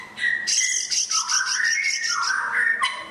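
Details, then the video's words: White-rumped shama singing a rich, varied phrase of sweet mid-pitched whistles mixed with higher buzzy, scratchy notes. "Merle Shama"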